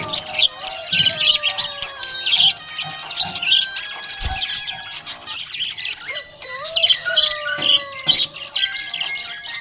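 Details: Happy budgies chattering: bursts of bright, scratchy chirps and short twitters in clusters every second or so, set against continuous background music with sliding tones.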